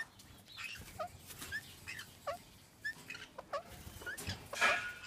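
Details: Indian ringneck parakeet during mating, giving short sharp chirps and squawks scattered irregularly, with a louder harsh burst near the end.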